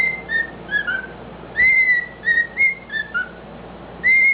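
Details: A male pet cockatiel sings his own remix of clear whistled notes, some rising and some gliding, in short bursts; part of it is thought to be the Addams Family tune.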